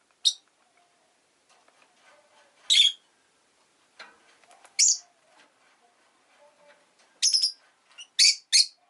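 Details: Rosy-faced lovebird chirping repeatedly: sharp, squawky high bursts, spaced at first, then a rapid cluster of three near the end, with soft clicks and light street noise between calls.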